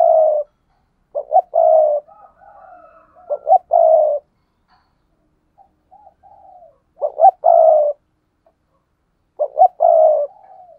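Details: A pair of spotted doves (Spilopelia chinensis) coo in low, mellow phrases: short clipped notes running into a drawn-out coo, repeated every few seconds, the softer second bird answering between.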